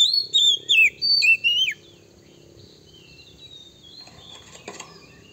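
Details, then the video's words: Oriental magpie-robin male song used as a lure to provoke rival birds: a quick burst of clear whistled notes, rising and falling slurs near the top of the range, lasting under two seconds, then quiet with faint distant chirps. "suara PIKAT kacer PALING DI CARI 2024 / SUARA BIRUNG KACER BIKIN EMOSI LAWAN"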